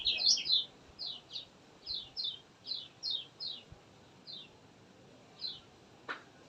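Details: Kecial kuning (lemon-bellied white-eye) in gacor song used to coax reluctant birds: an excited twitter opens, followed by a series of clear, high, down-slurred notes spaced about half a second apart over faint hiss.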